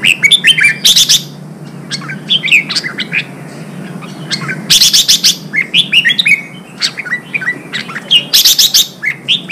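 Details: Wild-caught red-whiskered bulbul song played to provoke fighting and train singing: bright, rapid whistled phrases, sharp rising and falling notes in bursts with short pauses, over a faint low hum.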